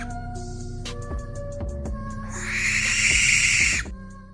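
A barn owl gives one long, harsh, hissing screech lasting over a second, rasping and breathy rather than hooted. Soft music with low tones plays underneath throughout.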